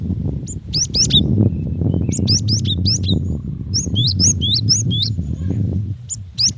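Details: A female cinereous tit calls to a male with thin, piercing chirped notes in short quick groups, bending up then down, above continuous low-pitched background hum.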